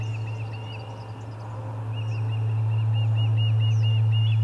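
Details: Osprey calling at the Charlo nest, 30 July 2020, during a commotion and fish delivery: a short burst of whistled chirps, a pause, then a steady run of arched chirps, with a constant low hum.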